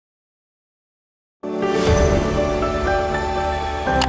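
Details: Silence for about a second and a half, then sustained instrumental music with layered tones to the end, and no animal sound.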